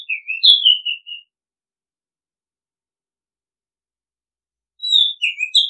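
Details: Oriental magpie-robin song: a whistled phrase of descending slurred notes. After a few seconds of silence, a fresh phrase starts.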